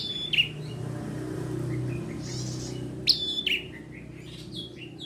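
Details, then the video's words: Ciblek merah, the bar-winged prinia, singing energetically: a sharp high chip, a pause of nearly three seconds, then a crisp whistled phrase trailing into softer twittering notes, with a steady low hum beneath. "Ciblek merah Gacor"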